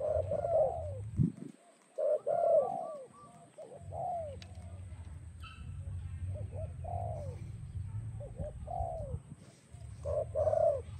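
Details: Spotted dove song for training and attracting doves: soft, mid-pitched downward-curving coos repeated in irregular bursts across the clip, with a steady low rumble underneath and a faint high hum throughout.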